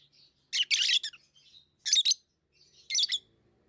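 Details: Pet lovebirds give rasping, high-pitched chirps in three separated bursts, each made of several quick harsh notes, with faint softer twitters between them.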